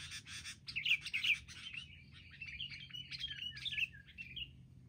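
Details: Group of wild sooty-headed bulbuls ganging up in an attack, giving a busy tangle of sharp, chattering chirps and short whistled slurs, many notes tumbling over one another in quick, irregular succession.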